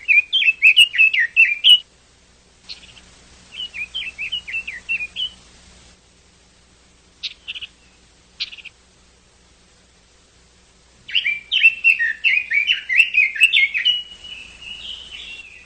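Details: Chinese hwamei song in bursts: loud fast runs of slurred whistled notes, a softer series of repeated chirps, a long pause broken by two sharp notes, then a vigorous rolling sequence of varied whistles.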